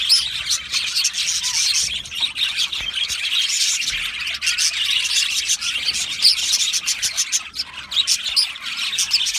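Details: Aviary budgerigar colony, Australian parakeets singing and chirping together; a thick wall of overlapping high chirps and buzzy warbling runs unbroken, with quick clicking notes scattered through it.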